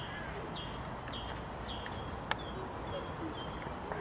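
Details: A European robin in Tivoli landscape park, Ljubljana, on 28 March 2022, sings faint, thin, high whistled notes in quick varied phrases over a steady low rumble of distant background noise.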